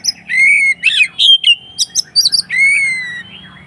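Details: Kacer (Oriental magpie-robin) in aggressive 'konslet' mode, singing to provoke other birds: long clear drawn-out whistles alternate with short buzzy, chattering bursts, over a faint steady low hum.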